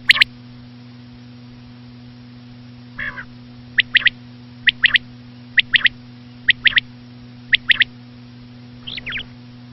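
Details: Common quail, said to be the female: repeated crisp three-note phrases of sharp high notes about once a second, with a few softer nasal notes, over an electrical hum.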